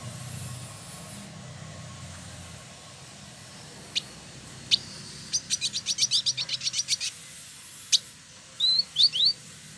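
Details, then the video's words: A caged male village indigobird in Bandung, West Java, Indonesia, gives a few isolated clicks, then a quick rattling series of about a dozen sharp ticks, followed by two brief whistled upslurs. "Burung Masteran Village Indigo Trotol Gacor"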